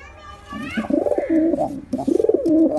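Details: Pigeon cooing: a rising, whistle-like harmonic tone opens, then low throaty coos swell and dip in two bursts, with a soft background hum.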